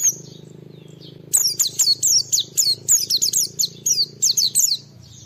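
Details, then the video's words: Oriental white-eye (pleci) in full song, played to provoke other white-eyes into singing: a rapid run of high, sharp descending whistled notes, about four per second, after a quiet start with a low hum beneath. "Suara Burung Pleci Gacor Cari Lawan Bikin Semua Pleci respon gacor buka paruh"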